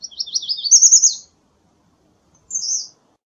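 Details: American redstart singing a quick, high-pitched phrase of tumbling notes that rises slightly toward the end, followed after a short gap by a brief high slurred note.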